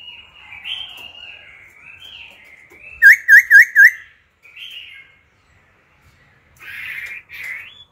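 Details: Mature wild-caught laughingthrush singing wild-style phrases, switching voice continuously to stimulate newly caught birds and train young ones: varied whistled warbling, then four quick sharp V-shaped notes in a burst, followed by softer slurred phrases and a rough buzzy ending.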